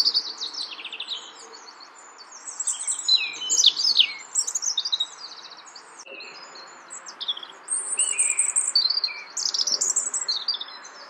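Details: A European robin (Erithacus rubecula rubecula) sings in Brussels, Belgium, in March 2014. It gives two long bouts of tinkling, high-pitched warbles and rapid twittering phrases, mixing sharp trills with sweet sliding notes, separated by a brief quieter pause.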